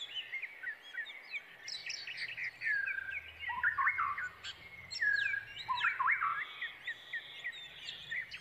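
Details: Waiting brown prinia nestlings clamouring for the parent that is foraging for them: tumbling high chirps and squeaky rising and falling slurs from several chicks, with louder swells every second or two.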